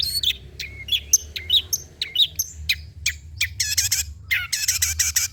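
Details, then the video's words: Long-tailed shrike singing, used to stimulate silent shrikes to sing: varied chirps and whistles followed by bursts of harsh, buzzy, noisy notes. "PANCINGAN CENDET SUSAH BUNYII, DIJAMIN GACOR DENGAR SUARA CENDET INI"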